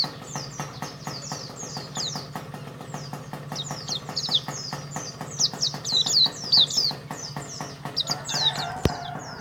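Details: Champion contest white-eye from Karawang, Indonesia, singing a fast, continuous high twittering of rapid thin chirps and swooping notes, with steady ticking clicks and a low hum underneath and a sharp knock near the end.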